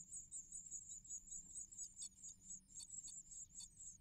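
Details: Great tits at the nest, adults bringing prey to feed their nestlings; thin, very high-pitched calls run almost continuously in pulsing, rapid bursts, with faint low rumbling beneath.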